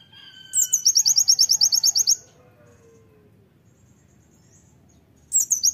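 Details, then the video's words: Loud Oriental white-eye song in 'tembakan' style, used as a master song: a fast trill of high, sharp chips lasting under two seconds, a long quiet gap, then a new burst begins. "KONIN GACOR ISIAN TEMBAKAN PLECI MEWAH"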